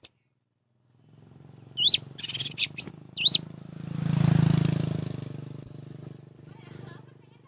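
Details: Orange-headed thrush song meant to get a lazy bird singing: a few quick, looping whistled notes and scratchy bursts, then high twittering. A steady low engine-like hum runs throughout.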